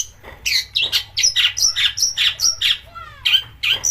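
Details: Provoking song of a long-tailed shrike with rough bursts: steady harsh chattering notes, about three per second, broken by a short descending whistled trill.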